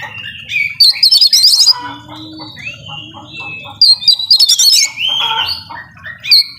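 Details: Kacer, or Oriental magpie-robin, singing 'nembak full isian' style, a fill-packed bold song: two dense bursts of high trilled, chattering notes, separated by smoother slurred whistles and a quieter gap, with a faint low hum beneath.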